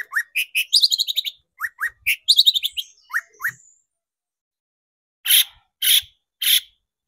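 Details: Long-tailed shrike lure recording for exciting shrikes into song: rapid twittering and chirped runs with rising squeaks, followed by three loud rasping harsh notes spaced about half a second apart.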